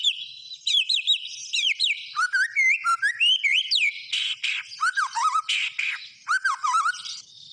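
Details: A white-rumped shama delivering full gacor song: fluid rising and falling whistles, quick trills and rippling low warbles follow one another for several seconds, punctuated by scratchy buzzy notes.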